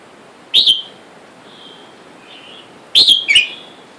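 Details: Red-whiskered bulbuls, a wild-caught male and female kept in a cage, with wild birds outside calling for a mate: two loud sharp chirps, one early and a double one near the end, with faint whistled notes between.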